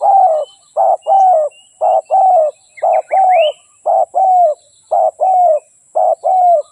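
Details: Spotted dove cooing: low, hoarse coo phrases, each a short note followed by a longer slightly falling one, repeated steadily about once a second, with a faint rising whistle from another bird in the middle.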